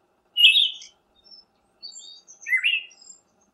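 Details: Siberian thrush: two loud, rich, slurred phrases about two seconds apart, with soft, high, thin whistled notes between them, in a quiet setting.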